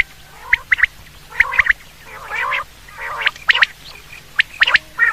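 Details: Quail calls used in hunting: short whistled notes in tight pairs and triplets, spaced a second or so apart, with softer gravelly rasping phrases between them.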